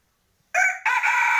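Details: Close crow of a white decoy rooster used in contests, recorded 25/2/20. A loud, rough opening syllable breaks into a strong sustained harmonic note that runs to the end, with no other sounds.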